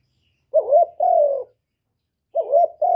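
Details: Cooing of a spotted dove in the 'một hậu ròng' style, two phrases of a short wobbling coo followed by a sustained, slightly falling hollow note, separated by a second of silence against a clean background.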